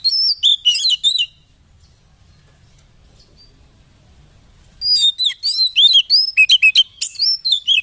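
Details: White-rumped shama song meant to stir caged birds into singing: a short burst of high twittering whistles, about three and a half seconds of near silence, then a longer run of rapid, sharp, varied notes.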